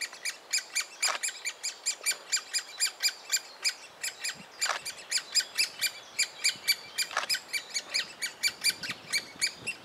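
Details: Begging chatter of a young great spotted woodpecker fed by its parent inside a willow trunk, Biesummerbos, Delfzijl, Netherlands: continuous high, harsh chirps pulsing about three to four per second, punctuated by a few sharp tapping sounds.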